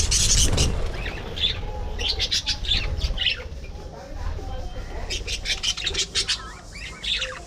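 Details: Budgerigars kept as a colony in an aviary, giving rapid chirping chatter in short bursts, with wing flutters and low rumbling background noise.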